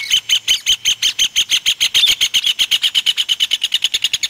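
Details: Rufous hornero in breeding season while feeding its young: a loud, rapid series of sharp, piercing notes at about seven per second, held at one steady pitch and running without a break for over four seconds.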